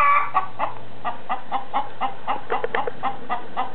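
A chicken clucks steadily, short throaty notes repeated about four times a second, with a low hum underneath.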